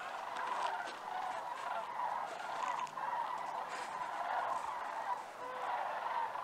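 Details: Migrating sandhill cranes over Idaho give a steady chorus of rolling, trumpeting calls from many birds at once, overlapping without pause.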